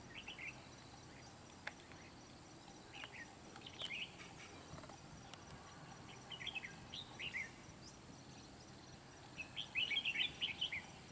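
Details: Red-whiskered bulbul at a trapping site on Núi Đá, Kim Bôi, Hòa Bình, Vietnam, a wild bird confronting a caged decoy; scattered short, bright warbled phrases, faint at first and louder near the end, over a steady hiss of background noise.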